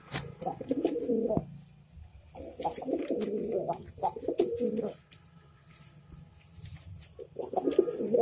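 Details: Domestic pigeons kept indoors for meat, a small flock of four including young birds that have just begun laying eggs; low throaty cooing bursts of about a second each, repeated several times with pauses, amid clicks and shuffling noises.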